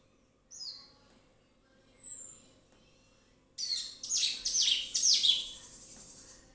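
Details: Orange-headed thrush in relaxed, full song used as a lure to prompt other birds: a few thin high whistles and a long descending whistle, then a loud rush of dense, rapid, buzzy chattering notes.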